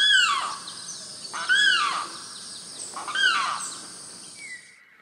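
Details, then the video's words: Australian Magpie giving three rich, warbling phrases of arching, slurred notes about every one and a half seconds, ending on a clear level whistle, with soft background hiss. "Este sonido complejo es de urraca australiana, ave nativa de Australia y Nueva Guinea. La aparición de esta especie. recuerda un cuervo,"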